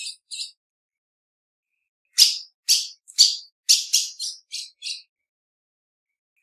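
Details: Female ultramarine grosbeak calling: two soft high notes, a pause, then a run of seven sharp chips, the later ones softer and lower, with quiet gaps and nothing else heard.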